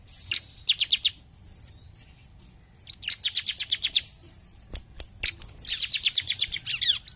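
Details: A bar-winged prinia in full "gacor jump shoot" song repeats rapid bursts of high, bright, evenly spaced notes, each run lasting about a second, separated by short pauses and a few sharp clicks.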